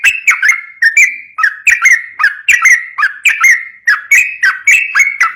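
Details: Sooty-headed bulbul in continuous 'ropel' song, played as a lure to train untamed bulbuls: short, bright whistled notes, each sliding downward with a sharp metallic tick on top. About thirteen notes are tightly strung together with no background sounds.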